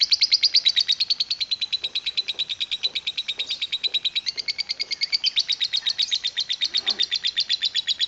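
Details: Lovebird singing a long chattering song: rapid, regular buzzy high chirps pulsing about eight times a second in a sustained unbroken run, with faint knocks in the background.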